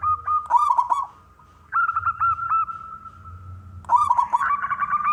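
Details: Male zebra dove from a local wild line singing to lure other doves to call: rapid pulsed notes with rolling bubbly coos, a short pause, a steady tone with stuttered notes, then a fresh burst.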